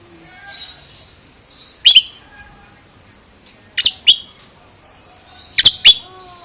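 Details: Unusual vocalizing by an Oriental magpie-robin: abrupt, harsh snapping chips, single or paired, about every two seconds, mixed with soft hissy high notes and a brief clear whistle.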